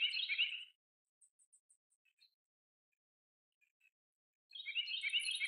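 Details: Common starling recorded in May 2023 giving bursts of harsh, chattering and buzzy notes with high thin whistles, separated by a quiet gap holding a few soft clicks.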